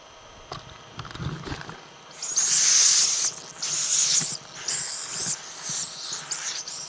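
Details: Little owl giving loud, rasping hisses: after a noisy, rustling start, several breathy bursts of varying length follow one another closely, the first the longest and strongest.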